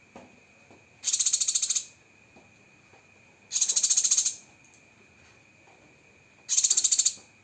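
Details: Cucak kinoi training song in 'tembakan' style: three high, buzzy pulsed bursts, each under a second, spaced about three seconds apart, with a constant faint hum-like tone underneath.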